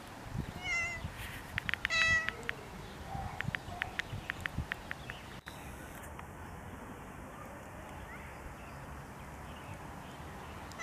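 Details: Common mynas (Acridotheres tristis) among groundsel, Kiryat-Yam, Israel: two bright harmonic notes and a run of sharp clicking ticks in the first seconds, then a steady high whine with background hiss.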